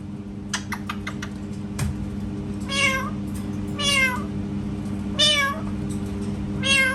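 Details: Pet parrot imitating a cat: four drawn-out, meow-like calls with rich harmonics, each falling then rising, spaced about a second apart, after a few short clicks and taps, over a steady low indoor hum.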